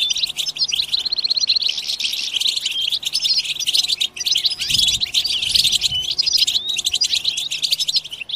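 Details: Chorus of many European goldfinches in the bitbita group-twitter style meant to excite other goldfinches to sing; a steady wash of bright, fast chirps and liquid trills, with sharp clipped notes over a low faint hum.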